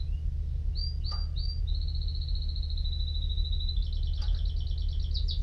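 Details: Canary sings a few whistled slurs, then a long steady trill that shifts into a faster, higher, double-toned trill, with a low hum throughout.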